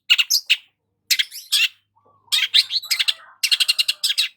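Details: Long-tailed shrike singing while sunbathing in the morning: harsh, scratchy, broadband notes in rapid chattering bursts, each burst followed by a brief pause, with one faint thin tone near the middle.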